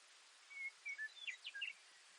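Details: Baird's sparrow singing: a short series of thin, high whistled notes, some flat and some sharply slurred, delivered quickly over about a second, then silence over a steady background hiss.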